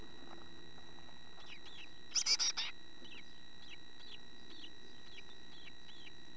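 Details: A chickadee, a fledgling starting to look like the adults, gives thin, high, down-slurred chirps about twice a second, broken midway by a short loud rustling burst over a faint steady hum.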